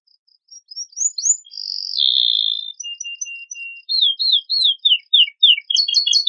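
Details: Canary with a luxurious filled song, used to lure other birds into singing: faint opening pips, a couple of rising sweeps, a loud sustained buzzy note, a soft level whistle, then a run of loud descending slurred notes.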